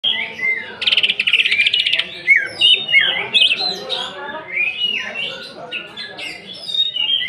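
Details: Greater green leafbird singing a 'nembak' lure song of rough mimicked fills, used to provoke other birds: a loud rapid buzzy trill burst, then varied slurred whistles and chirps in quick succession, with faint low background noise.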